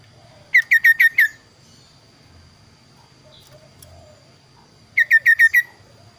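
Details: Kaso-kaso bird delivering two quick series of five ringing, falling whistled notes, roughly four seconds apart, with near silence and a faint steady hum between.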